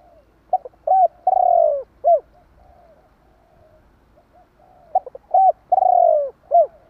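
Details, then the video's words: Provoking call of a spotted dove meant to stir other doves. Quick coos open into a long, descending, vibrating coo and end with one short coo. The phrase is given twice, with soft reverberation and low background noise. "Chim Cu gáy gọi kích bổi"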